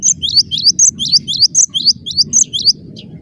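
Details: Gelatik batu (cinereous tit) singing non-stop in dense gacor style, loud high whistled down-up phrases repeated rapidly for nearly the whole clip over a low rumbling background.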